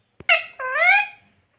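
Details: Single drawn-out, nasal, word-like utterance from a pet rose-ringed parakeet taught to say mummy and papa, rising slightly after a short sharp opening note.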